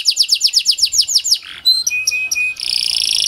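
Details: Kenari panda, a canary, singing to coax silent canaries into song: a rapid run of repeated downward-sweeping notes, then clear steady whistles and a fast buzzy trill at the end.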